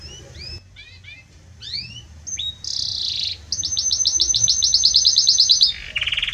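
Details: Belgian canary singing strongly and warmly, with scattered short chirps and slurred whistles, a dense buzzy note, then a long rapid high-pitched trill and a final rolling phrase.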